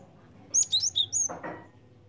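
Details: Java sparrow calling as a bird lure: a tight group of four or five high, thin chirps, followed by a short low thump.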